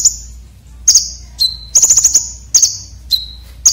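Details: Sharp, coarse fill-in song from a red-breasted konin for training competition birds: a sustained high whistle, then quick shrill ticking bursts and a single flat lower note, repeated.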